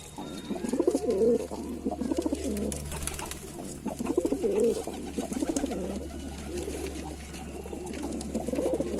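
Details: A chorus of Lalsara pigeons gives low, bubbling coos in pulses about every two seconds, with a softer murmur between them and a steady drone underneath.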